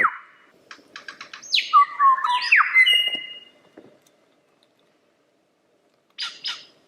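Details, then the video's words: Lyrebird song with a quick series of short clicks, then loud descending whistled sweeps and a held tone, followed by silence and two brief high notes at the end. "Lyrebird The Best Songbird Ever!"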